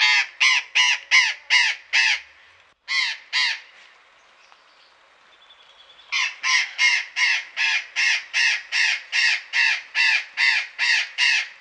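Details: Captive burrowing parrots in a town garden in Pelhřimov, Czech Republic, February 2018: rapid series of loud, harsh, grating screeches, a burst of seven, a brief lull with faint background, then a long steady run of screeches.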